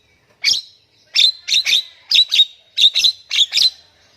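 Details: Javan myna song meant to provoke quiet mynas into singing; shrill, scratchy notes delivered in pairs and single bursts, roughly seven groups over four seconds, separated by short silences.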